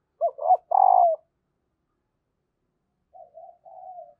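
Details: Female spotted dove giving her call to make reluctant males start cooing: two short coos then a longer falling coo, a long pause, then faint soft cooing notes.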